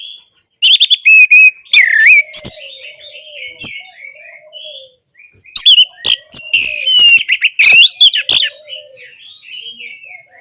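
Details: Orange-headed thrush in song, played so silent birds start singing: two loud bouts of rapid, varied whistles and chattering phrases, with softer low whistles and distant notes between them.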